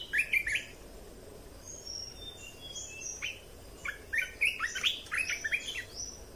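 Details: Red-whiskered bulbul song for exciting and training birds: a brisk opening flourish of whistles, a few thin high notes, then a lively run of jumbled chirps and warbles.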